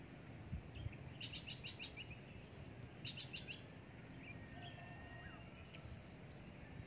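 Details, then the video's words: Breeding adult drongo giving bursts of four to six sharp, high chirped notes in quick succession, the bursts spaced about two seconds apart, then a softer run of separate notes near the end over a steady low background hiss. "INDUKAN SRIGUNTING"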